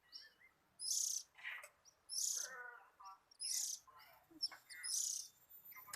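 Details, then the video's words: A contented oriental magpie-robin alternates raspy high bursts with lower buzzy, harmonic notes and brief chirps in an irregular, varied sequence. "BURUNG KACER LAGI ENJOY"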